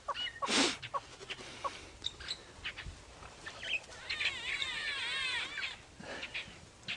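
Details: Greater blue-eared starlings shout at each other in a fruiting jackalberry tree full of birds at sunrise, giving nasal, rolling, slurred calls ending in a rapid burst of wavering, squealing notes; a loud squawk and other bird chatter come in between.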